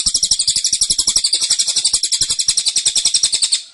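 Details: Tembakan song of a caged cililin, dense and insistent: nearly four seconds of rapid, evenly spaced shrill chirps at roughly eight per second, tapering at the end.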